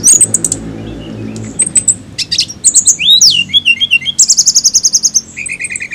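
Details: Flycatcher (tledekan) in lively varied song: high sharp chirps, a swooping lower whistled phrase, then a fast run of about a dozen rapid repeated high notes and a steady lower buzzy tone at the end.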